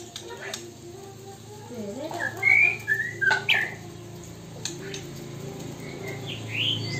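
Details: Magpie robin with a song stuffed with imitated Poksay Hongkong and Wambi phrases, picked up from poor company and too few tutor birds; a few short bright whistles midway and near the end over steady background hum and scattered clicks.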